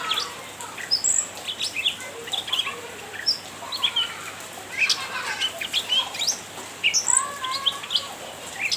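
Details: Cucak ranting chirping steadily to provoke a rival, with almost continuous short, high, scratchy chirps and sweeping whistles, in busy bursts throughout.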